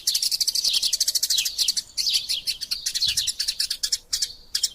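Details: Eurasian tree sparrows in a fight, vigorous chattering meant for tutoring caged birds: bursts of quick high chirps separated by short breaks, ending in a few isolated notes.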